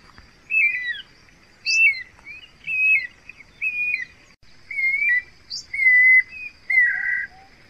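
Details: Guira cuckoo singing a run of about eight loud descending whistles roughly one per second, some with quick upward squeaks above, ending in a harsher buzzy note, over a steady high hum.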